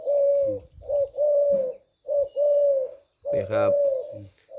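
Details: Male spotted dove kept as a decoy bird for trapping repeats clear, mellow coos in paired phrases with short pauses, and a man's voice cuts in briefly near the end.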